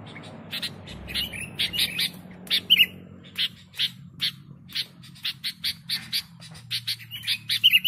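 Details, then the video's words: Sooty-headed bulbul sounds for luring birds: a run of short, harsh chirps and squawks spaced about every half second, with a few clearer whistled notes, over a low humming background. "Suara Burung Kutilang Gacor Untuk Pikat"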